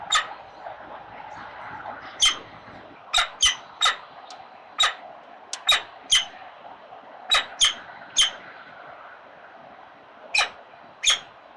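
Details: Four newly hatched, snow-white peregrine falcon chicks at an urban nest at feeding time give shrill, sharp squeaky calls in uneven bursts, about a dozen in all, over a steady background hiss.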